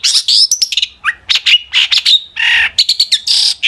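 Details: Vigorous song of a long-tailed shrike intended to draw answers from other shrikes: dense, continuous chatter of high chirps, rasping noisy blasts and short whistled slides.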